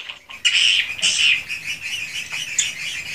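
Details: Swiftlets in a swiftlet house, recorded as-is: after a brief quiet start, bright buzzy chirps burst in and blend into an ongoing high twitter.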